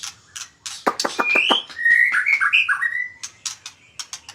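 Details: Short magpie-robin phrase: a few sharp clicks, then a chain of clear whistled notes sliding up and down. Scattered high ticks follow.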